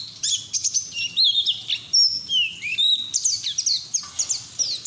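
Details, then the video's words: Continuous high twittering song of a white-eye, used as a lure and as training for young birds, mixing sharp chirps with short whistled slurs that rise and fall, delivered rapidly without pause. "PLECI NGERIWIK TELER BUKA PARUH NGALAS UNTUK TERAPI PLECI BAHAN"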